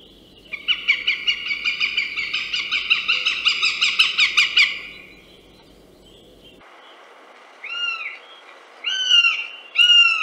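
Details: Northern Goshawk in Central Russia: a fast, harsh chattering series of sharp kek notes lasting about four seconds, then a quiet pause and a few thin downslurred whistled notes near the end.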